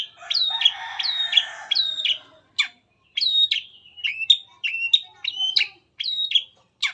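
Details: Long-tailed shrike in varied full-material song used to draw other shrikes into singing, repeating a high, bouncing two-part phrase of a sharp upslur and a downslurred note, with short pauses between phrases.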